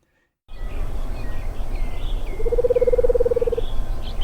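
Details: Madagascar hoopoe, whose call differs from that of the Eurasian and African hoopoes and which bulges its throat before calling, gives a low, rolling trill holding one pitch for just over a second, with thin chirps from other birds and a low rumble behind.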